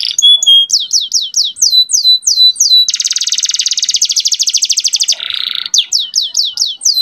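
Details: Young canary in varied song meant to provoke males and bring hens into breeding: level whistles and repeated falling slurs, a long fast rattling trill, a low buzzy note, then more downslurred whistles.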